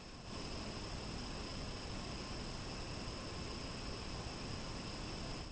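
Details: Constant broadband hiss with steady electrical hum throughout and nothing else audible.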